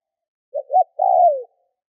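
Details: Spotted dove used as a lure bird to provoke wild doves, giving one coo phrase: two short low notes followed by a longer, slightly rising then falling drawn-out coo; clean background.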